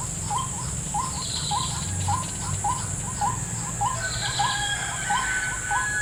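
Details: In a snake-fruit plantation where a lure trap is set, a white-breasted waterhen repeats steady, hooked two-part calls about 100 times a minute; a persistent high insect drone and brief higher chirps accompany it.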